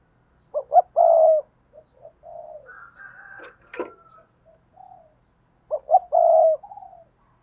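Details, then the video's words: Decoy spotted dove giving its urging and calling coos, Vietnam, 2022: a loud, low, hoarse three-part coo, two short notes then a longer note, repeated after a pause of about five seconds, with softer coos and a brief higher whistle between them. "Chim Cu Mồi Thúc Và Gáy Gọi// tiếng cu mồi thúc bổi mới nhất 2022"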